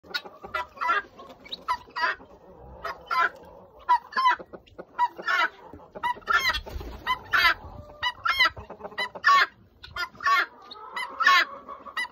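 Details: Helmeted guineafowl kept on a farm give harsh, grating calls in quick bursts, several birds overlapping in a noisy chorus.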